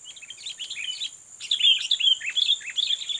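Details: Sooty-headed bulbul, a fighting bird being lured against a rival: soft chirps, then a louder burst of clear slurred whistles and chattering notes, over a constant shrill hum.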